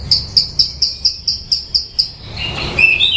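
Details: Bushlark song: eight or nine evenly spaced high clipped chirps, then a couple of lower slurred whistled notes.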